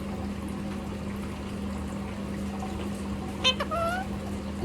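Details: A male talking Indian ringneck parakeet, which says many words, gives one short talking phrase, a harsh syllable then a rising nasal tone, over a steady low electrical hum.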